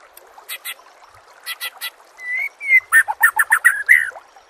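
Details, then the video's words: Songbird-training master recording of a white-rumped shama: scattered sharp clicks, then a drawn-out whistle, followed by a rapid burst of loud, varied chattering notes. "Masteran murai AMPUH"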